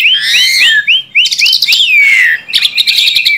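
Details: Tame Asian pied starling in full, energetic song: a run of repeated upward-hooked whistles, then a long clear descending whistle and bright chattering notes, loud and close.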